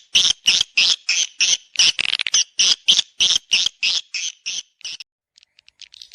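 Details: Swiftlets in a lure sound to draw them to a nesting house: evenly spaced, buzzy chirps roughly three per second, with a few quick doubled notes, fading to faint ticks after five seconds.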